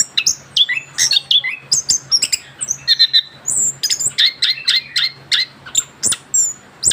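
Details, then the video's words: Young orange-headed thrush after moulting, performing a lively rolling song of crisp chirps, high thin whistles and quick slurred phrases delivered in steady bursts, with a faint hum below. "kicauan anis kembang muda ngerol pasca ganti bulu"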